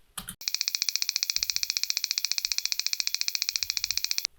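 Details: Striped crake (Amaurornis marginalis) giving a long, even run of dry, high ticks, about thirteen per second for nearly four seconds, like a fast-ticking clock.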